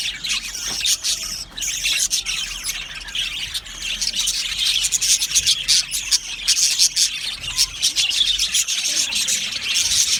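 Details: Aviary colony of Australian budgies keeping up a continuous, busy wash of high twittering and scratchy chirps, many birds calling at once throughout.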